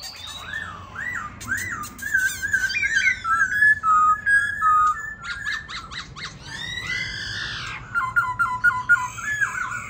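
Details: White-cheeked laughingthrush in a cage, singing as it dances: a series of short rising-falling whistled notes, then clipped chattering notes, arched squeals and a final quick string of repeated whistles.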